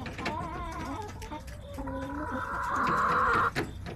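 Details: Backyard chickens in an urban homestead setting on September 21, with hens giving drawn-out, nasal clucks and a sustained rising squawk, scattered sharp knocks and background rustling.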